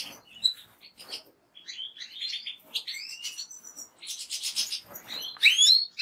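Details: European goldfinch delivering a varied tinkling song, with chirps, buzzy rattles and trills, ending in a loud, sharply rising twisted whistle.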